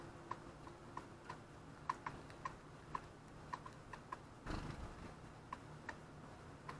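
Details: Daurian redstart visiting a balcony on 19 January 2020 gives soft, dry tack-click calls, about a dozen spaced irregularly over seven seconds, with a brief rustle midway against a quiet low hum.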